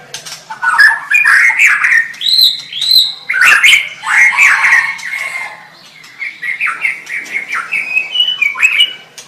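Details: White-rumped shama singing a stream of warbled whistles and chattering notes at a middle pitch, with a faint low hum in the background.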